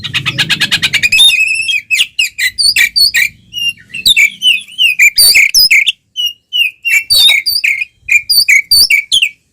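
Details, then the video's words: Oriental magpie-robin in fighting song, tail fanned, meant to stir rival birds: opens with a fast rattling trill over a low rumble, then varied whistled slurs and sharp chips in quick succession with brief gaps. "SUARA BURUNG kacer gacor NGEPLONG TARUNG BUKA EKOR"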